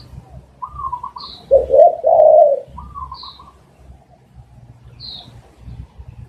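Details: Spotted dove coo, used as a lure for catching doves: a brief, low, hollow cooing phrase in the middle, with thin higher chirps from other small birds before and after and a soft low rumble throughout.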